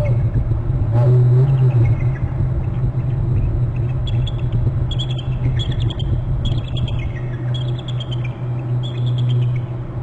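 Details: Bald eagles at a nest territory on Hornby Island, both birds calling, one trilling before flying to a short branch; high, thin chittering notes in repeated rapid bursts over the second half, over a steady low rumble.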